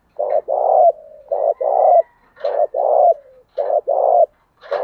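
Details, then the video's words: Spotted dove used as a decoy to provoke wild rivals into fighting. Paired low coos, a short note then a longer drawn coo, repeated about once a second with faint soft whines trailing between phrases. "Tiếng chim cu mồi thúc đấu kích bổi hiệu quả/ kích là gáy"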